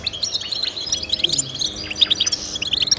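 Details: Goldfinch song meant to motivate pet goldfinches to sing: quick bright chirps and tinkling notes, some sliding upward, tumbling in a fast irregular twitter with brief pauses.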